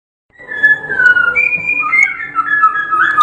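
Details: Champion white-rumped shama of the Medan type singing in the rolling ngerol style: sustained clear whistled phrases that slide and step between notes, continuous and loud, over a low background rumble.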